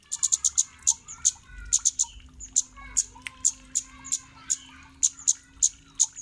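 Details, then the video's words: Kemade lure recording meant to make other kemade birds answer and sing: sharp, very high 'cit' notes repeated irregularly, some in quick doubles and triples, between softer chattering, slurred twittering notes. "Burung Cit Kemade Manapun bakal NYAUT dan GACOR"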